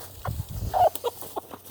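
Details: A homestead rooster gives a quick run of short, harsh clucks and squawks while being caught and handled to be moved into a new chicken coop.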